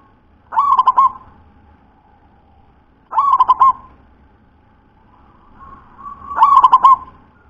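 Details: A local zebra dove, praised for a deep, full voice, repeats a rolling coo three times, each phrase an upslurred start then a string of quick pulsing notes, roughly every three seconds in otherwise quiet surroundings.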